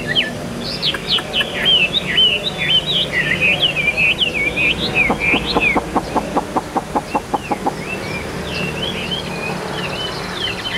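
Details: A hand-carried Chinese hwamei said to sing like a machine with an even voice. It pours out rapid, clear, slurred whistles that bend up and down in quick run-on phrases. A burst of sharp, evenly spaced clicks sounds midway, and the song carries on afterwards.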